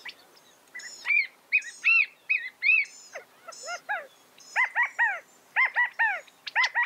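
California quail give a rapid run of short, arched, nasal notes, several birds overlapping in a chattering series with brief pauses between bursts.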